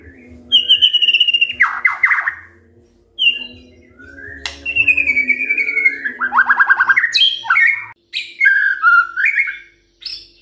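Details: White-rumped shama song played in the morning as a lure to get silent birds singing: rich, varied whistles, some long and falling, with rapid trilled rattles and sharp upward sweeps, separated by short pauses. A faint low hum sits underneath.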